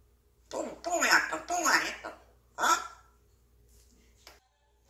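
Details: Grey parrot mumbling indistinct speech-like words indoors, a few drawn-out voiced phrases in quick succession, then quiet.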